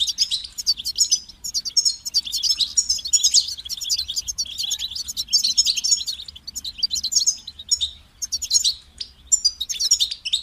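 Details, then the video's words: Goldfinch singing continuously for about ten seconds, a dense run of high tinkling twitters, buzzy notes and liquid chirps, rapid and varied with short gaps between phrase groups. "Highlighting motivating songs for creative goldfinches in simple ways"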